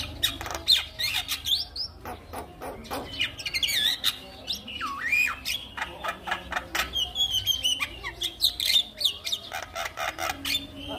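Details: Javan myna song used to coax mynas that have stopped singing into song: a busy jumble of sharp broadband clicks, harsh squawks and short whistled slurs, including a rising-falling whistle near the middle.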